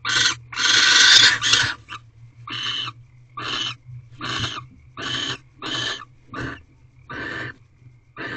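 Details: Wild barn owls mating at an owl box on the 18th night, 7 March 2023, about 5:40 am. A long harsh screeching hiss is followed by about nine shorter raspy hissing bursts, roughly every two-thirds of a second, over a steady low hum.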